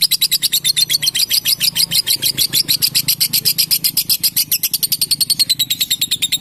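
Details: Caged female fighter lovebird in full long 'ngekek panjang' song, a continuous fast, shrill chatter of evenly repeated high notes, loud and unbroken throughout.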